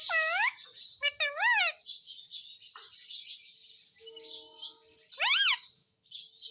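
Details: Indian ringneck parrot kept as a talking pet: arched harmonic voice-like calls in a quick cluster, continuous soft chattering, then one loud rising-falling call near the end.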